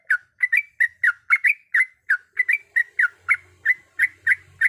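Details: Calling female Sooty-headed bulbul, directed at the male: a brisk run of bright, slurred double notes repeated steadily throughout, with a faint low buzz appearing near the end.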